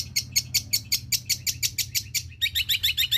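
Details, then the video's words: Long-tailed shrike singing a song filled with imitations of other birds, including sparrow, petir, kunti and tengkek buto: sharp, high chirps repeated about five per second, shifting to a new, thinner note near the end, over a low background hum. "bunyi super panjang cendet isian gereja petir,Kunti, dan Tengkek Buto"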